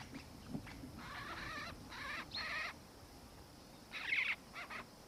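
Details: A Black-faced Cuckoo-shrike (subspecies melanops), recorded in Victoria, Australia, in December 2019, gives rolling, churring notes in short bursts, three in quick succession, then a pause and two more, over a faint steady hiss.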